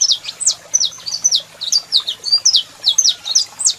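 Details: A male saffron finch sings as a female calls: loud, clear high notes, each a bent downslur or short whistle, spaced about four per second, with little background.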